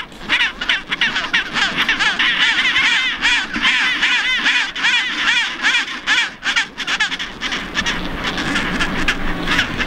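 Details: Chinstrap penguins in a colony on Half Moon Island, South Shetland Islands near Antarctica. A dense chorus of harsh, braying calls with rapid pulsed notes overlaps continuously, many birds calling at once, with brief dips between bursts.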